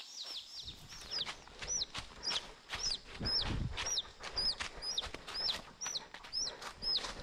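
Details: Caught chicks of wild chickens, taken from a forest flock and kept in a woven cage. Shrill descending peeps repeat about twice a second in a steady run, with a dull thump midway.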